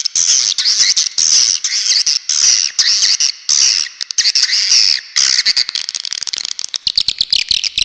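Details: Swiftlet lure call: dense bursts of harsh, high chattering chirps packed into rapid repeated phrases, with short gaps, growing more clipped and broken near the end.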